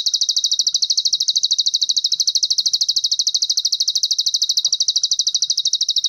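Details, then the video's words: A Plain Prinia (prenjak sawah) sings a full song: a high, buzzy, insect-like trill of rapid even pulses, about ten a second, running unbroken throughout against a quiet background. "PRENJAK SAWAH ISIAN FULL CILILIN"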